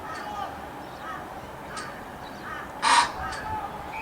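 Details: Australian white ibis (Threskiornis molucca), the "bin chicken", gives a single loud, harsh squawk near the three-second mark, with faint murmuring voices in the background.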